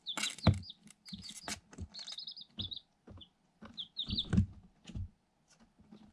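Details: Day-old Light Sussex chicks, eight hatched from an incubator, kept in a cardboard box; scattered high peeps and short trilled cheeps between heavy thumps, knocks and scuffing of pecking at the box.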